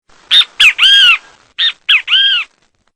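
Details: Great kiskadee, a Brazilian bird known locally as bentivi, singing; loud three-part phrase of two short sharp notes and a longer arched nasal note, given twice in quick succession against silence.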